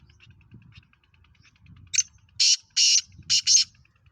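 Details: Black francolin, or kala teetar, from Pakistan, a fast-calling bird. Quiet low rustling gives way to a harsh, grating call of four to five loud rasping notes, the two pairs clipped close together.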